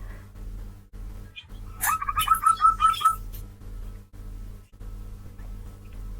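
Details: Zebra dove (Geopelia striata), recorded around Bekasi, Depok, West Jakarta or Tangerang and cleaned with noise reduction, gives a quick run of about five soft, clipped cooing notes at even pitch over a steady low electronic hum.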